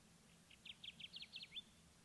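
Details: At the 2021 Kirtland's Warbler Festival, a Kirtland's warbler sings a rapid, emphatic burst of about nine chippy notes that climb in pitch and speed up, ending on an upslurred note, over a faint low hum.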